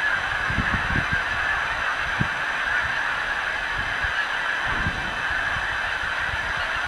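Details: Geese arriving at their milo field roost in February 2015, part of a nightly ritual. Scattered nearer honks stand out here and there, some spaced about a second apart, against a constant background murmur of many distant birds.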